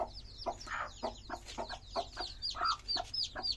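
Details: Colourful chicken chicks chirp rapidly: high thin downward-sweeping peeps overlap with shorter, lower clipped notes in an uneven run of about four calls per second, over a faint low hum.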